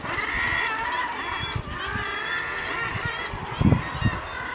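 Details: Colony of northern gannets on Helgoland's cliffs, many birds calling together in a continuous, harsh, layered chorus over low wind rumble, with a couple of louder thumps near the end.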